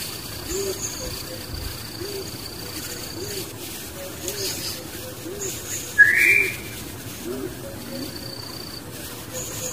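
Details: Barbet with its young in the wild: soft, low, rounded hooting notes repeated about once a second throughout, over a steady thin high whine, with one brief louder chirp midway.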